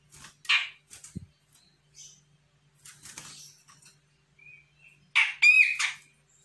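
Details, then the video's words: Sumatran grey-cheeked bulbul, a young untrained bird, answering a lure call: scattered short harsh chirps, then a loud burst of rough, buzzy notes ending in stacked nasal tones near the end. "CUCAK JENGGOT SUMATRA GACOR - CJM BAKALAN AUTO NYAHUT"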